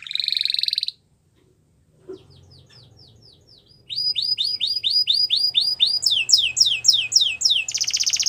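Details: Canary song beginning with a buzzy trill, a short pause, soft chirps, then loud repeated rising whistled notes, fast downward sweeps and another buzzy trill, over a faint low hum.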